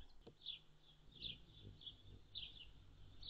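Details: On June 7, 2022, a hummingbird gives clustered high chips, single and doubled, spaced under a second apart, over a low hum of background noise.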